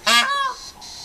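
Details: A peacock right outside a hotel room gives one loud, brassy, nasal honk lasting about half a second, dropping slightly at the end, then faint hiss; onlookers guess it may be a mating call.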